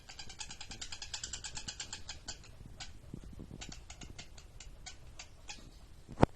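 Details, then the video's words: Lovebird giving ngekek mangap chatter: rapid buzzy pulsed bursts for about two seconds, then scattered shorter notes with gaps, ending in one sharp click. "Suara asli lovebird ngekek mangap"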